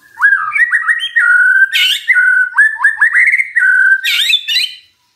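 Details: Magpie-robin song as a lure to get a silent bird to reply: rapid, rolling whistled phrases repeated with a steady pattern, broken twice by harsh buzzy bursts.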